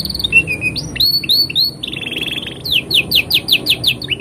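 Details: Canary master song for young birds: low trill and looping whistles, a rich buzzy trill, then a run of about eight rapid descending whistled notes ending on a low trill.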